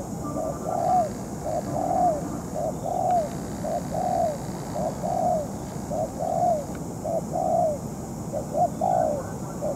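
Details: Moulting spotted dove used as a ground decoy in trapping, facing a tough wild bird; a steady run of short, low, hollow coo notes, about one per second, over a rustling outdoor background.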